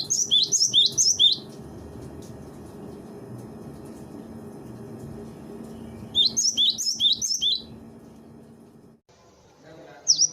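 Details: Cinereous tit singing in a master recording used to train birds: rapid clusters of sharp, high, down-up notes separated by a long stretch of steady low hum and room noise.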